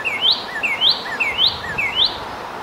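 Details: Red northern cardinal song: loud, clear two-part whistles that drop briefly and then slide steeply upward, repeated four times at an even, quick pace over soft background hiss.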